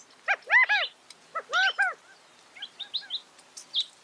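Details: California quail calling twice, each a quick three-note phrase of rich, rounded arching notes, then softer high chirps from other small birds.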